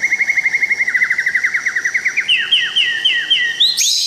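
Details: Tangse white-rumped shama in Aceh singing a long fast trill of repeated downslurred notes, about five per second, shifting into higher paired whistles and ending with a sharp rising flourish.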